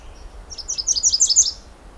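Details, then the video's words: Female American redstart singing on a calm, warm, sunny day at Pine Tree Point, Ontario: a short, very high series of about six quick sharp paired notes, rising slightly and ending after about a second, with quiet low background. "Finally, I get a chance to record some female song."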